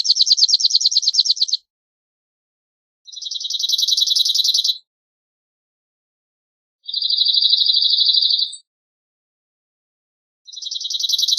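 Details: Cirl bunting (Emberiza cirlus) delivering its rattling song: four fast, even trills of repeated dry notes, each one to two seconds long, spaced by gaps of about two seconds, no other sounds.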